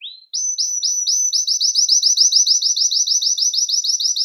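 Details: Belgian canary song to stimulate males and condition females for breeding: one rising note followed by a rapid, even series of high slurred notes repeated about five times a second.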